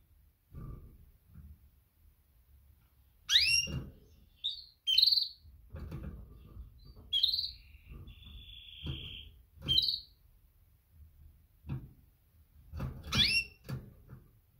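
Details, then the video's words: Female canary calling to males in a mating call: scattered short chirps and whistled notes near the top of the range, one sustained flat whistle, and sharp rising-falling chirps, with low thumps and handling noise between them. "Best female canary mating call - female calls males - female sounds chirps"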